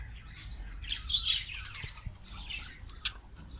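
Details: Colony of Australian parrots in Karachi's Future Colony, giving overlapping bright chirps, squeaks and short squawks that rise and fall in a busy chatter, with a louder burst near the middle over a low background rumble.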